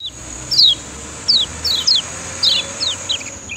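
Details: Lemon-bellied white-eye (kecial kuning) from Lombok, used as master song to train other birds: sharp descending high chirps, about six spaced across under four seconds, over a steady faint high hum.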